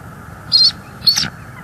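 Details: Bald eagle at a nest cam in Northeast Florida on 5 January 2022, evening, mated pair swapping incubation duties on eggs; two short, high, thin squeaky notes about half a second apart over faint steady background hum.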